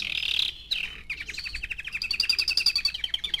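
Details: Young canary, four months old, sings a brief whistled note, then a fast pulsing trill that grows louder and higher to the end.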